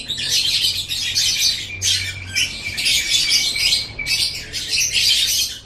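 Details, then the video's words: Lovebird song from a master recording made for training songbirds: four dense bursts of scratchy, high-pitched chattering squeaks and twitters with short pauses between them, a faint steady thin whistle running beneath. "Masteran Suara Burung Love Bird 7"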